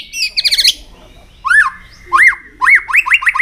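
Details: White-rumped shama in song with tail flicking, used to stimulate other shamas: a rapid rattling trill followed by a series of clear arched whistles, rising then falling, repeated about every half second.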